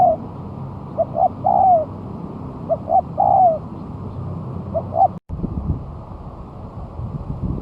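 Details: Spotted dove brought to the ground after a month of moulting sings as a lure: three phrases roughly 1.6 seconds apart, short coos leading to a long falling coo, the last cut short before a break and low rumble.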